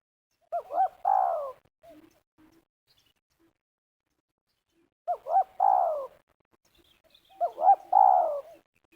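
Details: Spotted dove in Liwa, West Lampung, Indonesia, calling at a ground trapping site with snares. Three cooing phrases, each two short looped notes and then a longer, falling, throaty coo, repeated about every four seconds in quiet surroundings.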